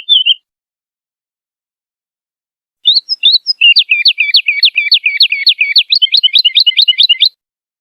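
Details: Woodlark sings a short opening note, pauses, then launches into a long, fast series of crisp, angular notes that speeds into a lighter rippling finish.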